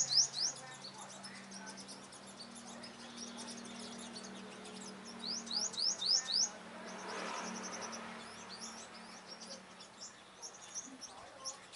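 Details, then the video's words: Five-colored sunbird in a trapping confrontation with dominant males: quick rattling series of very high ticks, bursts of loud rising notes, and a low steady hum underneath. "Bây chim hút mật 5màu đối đầu với những con " Đ.ầu đ.àn ""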